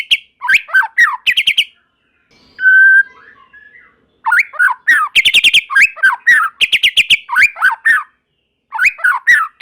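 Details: White-rumped shama in full song, used to get other shamas to sing along: quick clusters of slurred whistles and short trills repeat in bursts, with a steady pure whistled tone standing out partway through.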